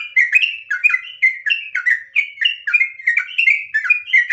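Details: Loud, continuous chattering whistles from a trucukan, or sooty-headed bulbul, in ngropel fighting-song style meant to trigger other birds to sing: rapid syllables, each a short downslurred note, repeated without pause.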